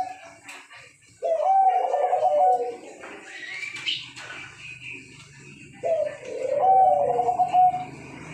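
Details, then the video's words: Zebra dove giving two low, bubbling, trilled coo phrases, each about two seconds long and four seconds apart, with a brief higher sound between them. "Perkutut dan Pelung Gacooor"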